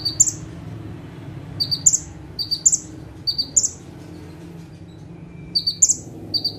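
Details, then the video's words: Ciblek, or bar-winged prinia, sitting on one perch and singing in full bursts; clear high chirps grouped in short rapid strings, four clusters in a row, a pause, then two more, with faint background hum. "KONIN GACOR FULL TEMBAKAN - CIBLEK / PRENJAK TEBU - SATU TITIK SAMBIL DUDUK MANIS"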